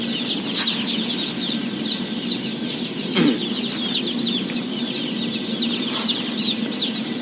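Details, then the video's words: Day-old chicks in a flock of 17,000 at feeding time: a thick high peeping chorus, individual cheeps rising and falling, with a few sharp taps and a low steady drone. "BABY CHICKEN SOUNDS"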